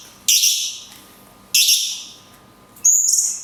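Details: Cungkok singing long 'tembakan kunti' phrases with natural pauses, recorded to train songbirds: three harsh, buzzy, high bursts about 1.3 seconds apart, each fading out, the last with a clear whistled tone.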